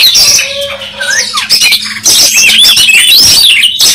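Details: Fighting Oriental magpie-robin, tail fanned, pours out a continuous loud song of warbled, looping whistles and buzzy trills; a steady low hum runs beneath.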